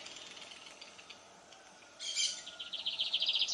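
A lined seedeater sings. After a quiet opening, a loud burst of high twittering gives way to a fast, buzzy run of repeated high notes.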